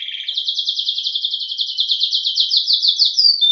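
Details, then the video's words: Belgian canary, a domestic canary, singing a single long trill of quick upslurred notes at a steady rhythm, rising slightly in pitch over about three seconds. "CANÁRIO BELGA CANTANDO"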